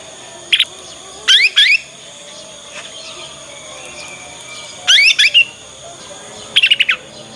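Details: Young Yorkshire canary practising its ngriwik sound, used as a lure to get other canaries to answer and learn. Four short bursts of sharp, high chirped trills separated by pauses, over a faint steady electrical hum.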